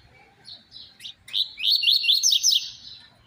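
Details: Double-collared seedeater singing the 'tui tui zero zero' song style, described as very fiery and singing perfectly, used to train other seedeaters: a few high short notes, then a loud, buzzy, rapidly repeated trilled phrase rising and falling.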